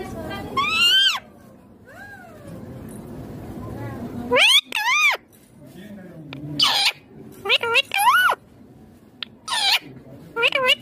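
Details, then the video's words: Talking Indian ringneck green parrot: rising harmonic syllables, several sharp upward-swooping bursts and clustered short voiced notes, loud and clear against low background hum. "Indian ringneck green parrot amazing talking clear sounds"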